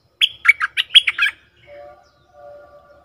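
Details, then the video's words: Bulbul lure call for attracting wild birds: a hurried string of seven or so chirpy, slurred notes, followed by faint low whistled tones. "Suara pikat merbah lekir"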